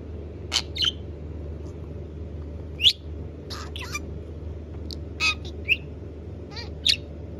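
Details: A pet blue budgerigar (Melopsittacus undulatus) gives short, sharp chirps and squeaky notes spaced irregularly over a low steady hum.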